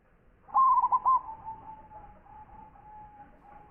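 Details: Zebra dove, a champion-quality local bird with a big voice, delivers one loud phrase of four or five quick, hollow cooing notes, followed by a long, faint, steady humming tone.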